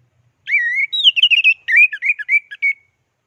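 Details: Champion orange-headed thrush giving a clear, loud teler-style master song for tutoring: a rising whistled note, then a rapid jumble of warbled, chattering whistles lasting about two and a half seconds, against a quiet background.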